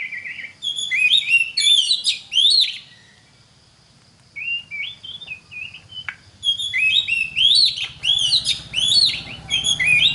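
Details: Magpie-robin song played so other magpie-robins learn to sing: loud looping whistles and chatter, a long quiet gap with a few soft wavering notes, then energetic repeated whistled phrases over a low hum.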